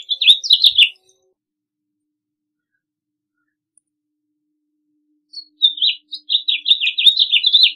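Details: A short house finch warble, a long quiet gap, then a longer run of rapid sweet slurred notes.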